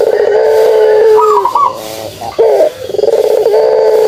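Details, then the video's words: Kugeruk coo of a pelung turtle dove: a drawn-out, even, low humming note, a short broken rising phrase, then another sustained coo. "suara kugeruk burung puter pelung"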